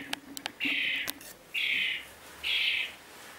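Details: Rescued European Starling fledgling, found trapped in a wall cavity and being hand-fed mealworms outdoors before release, gives three harsh, hissing, buzzy begging rasps of about half a second each, spaced roughly one second apart, with faint clicks before.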